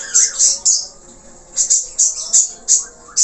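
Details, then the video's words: Budgerigar in lively 'gacor' singing, rich in varied filler notes: bright high chirps in quick bursts with short descending whistled slurs, pausing briefly between clusters. "FALK/parkit Australia Gacor,Isian Banyak"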